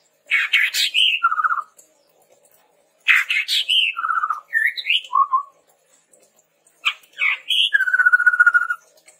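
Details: Chestnut-rumped babbler in lively song, used as a lure and tutor recording for training other birds: three bursts of harsh chattering notes with rising whistles, then a low warbled run of notes, separated by short pauses.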